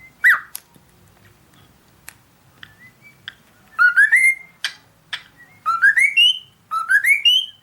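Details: Cockatiel whistling: scattered short chirps and clicks at first, then three bursts of rising whistled notes that climb step by step, with quiet gaps between phrases.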